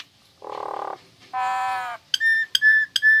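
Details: Caged female Nias hill myna singing actively: a buzzy mid-pitched burst, then a longer harmonic tone, then three sharp rising whistled notes with rich overtones.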